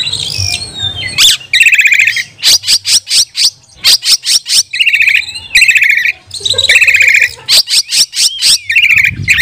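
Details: Oriental magpie-robin song, a lure recording for training and provoking other magpie-robins into emotional singing; loud, varied phrases of rapid repeated buzzy notes, sharp clicks and whistled slurs, in bursts with short gaps.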